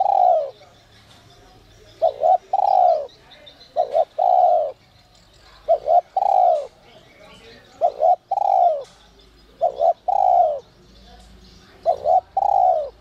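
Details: Spotted dove giving the 'giọng còi' style call, used as a lure to stir wild doves. Two clipped short notes lead into a long, sliding-down coo. The phrase repeats steadily about every two seconds for seven rounds, with faint background chirping.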